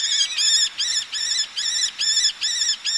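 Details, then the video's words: Male Eleonora's falcon calling at close range while females answer from ledges by the sea; grating, nasal squawks in a steady run of about seven notes over three seconds, each note slightly arched in pitch. "Eleonora Falcon / Eleonora's Falcon. MCU Calls From A Male With Females Calling From Ledges. Sea In"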